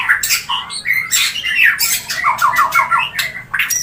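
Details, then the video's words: Mating sounds of a white-rumped shama, used to stimulate breeding: rough squawking bursts, then a quick run of short whistled notes and more harsh chatter. "Murai Kawin Suara Jernih"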